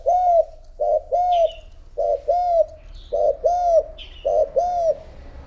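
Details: Decoy spotted dove calling to draw wild doves: rhythmic arched coos, mostly paired, repeated about every second, with brief high chirps of a small bird slipped between phrases.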